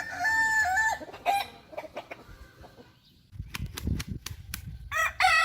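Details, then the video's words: Kukuak Balenggek rooster, kept as a hobby breed, crowing in long harmonic notes that step up and hold, then break off; a second crow-like burst returns near the end, with clucks and knocks between. "Hobi Ternak Ayam Kukuak Balenggek"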